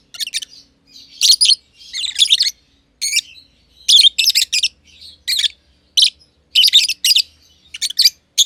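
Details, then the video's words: Two close companion lovebirds, green personata and green pied personata, chirping in their aviary; piercing, buzzy chirps in doubled and tripled bursts, with faint low hum beneath. "Lovebird Chirping Sounds - Green Personata & Green Pied Personata"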